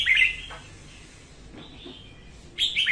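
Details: Female red-whiskered bulbul, morning singing used to coax other bulbuls into song and to bait traps; a bright slurred warble, a soft thin note midway, then another loud fluty phrase starts at the end.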